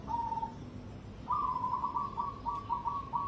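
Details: Cemani zebra dove bred for competition gives a short coo, then a long run of rapid, evenly repeated bubbling notes, over steady low background noise.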